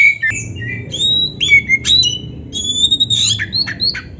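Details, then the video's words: White-rumped shama singing a master recording for training: sharp broken whistles and squawky notes in quick varied bursts with high thin slurs. "MASTERAN KACER GACOR FULL ISIAN"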